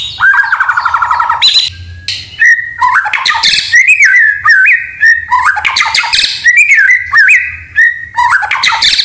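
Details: Lively white-rumped shama song full of canary and cililin imitations. A rapid buzzy trill opens, followed by a run of looping whistles interspersed with harsh chatters and frequent short pauses.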